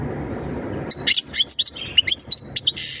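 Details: European goldfinch singing a mating call to ready the female for breeding. A short hiss at the start gives way to clear, fast twittering notes, liquid chirps and a closing buzzy burst.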